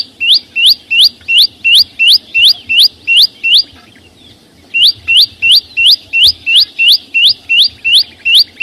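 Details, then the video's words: Bright rising whistles from a flowerpecker, about three per second, in two bursts separated by a pause of roughly a second. "ssuab no9ó txeeev quaj zô heec tiếng chim sâu xanh hót chuẩn"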